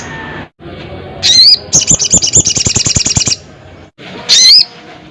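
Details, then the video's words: Crested jay calling a rival: a loud upswept whistle, then a run of about fifteen dry rattling notes, then another whistle after a pause. "SUARA BURUNG SOGON GACOR KERAS"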